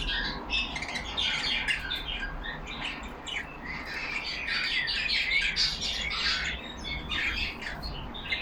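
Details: Yellow pet budgies kept in a cage, chattering to one another: busy overlapping high warbling, clicks and squeaks, with a few thin whistled slides mixed into the steady flock babble.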